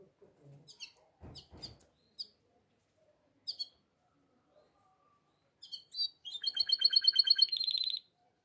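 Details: Canary singing in breeding condition to call the female: scattered sharp high chips and short notes, then a loud, fast, even trill of bright whistled pulses lasting about two seconds.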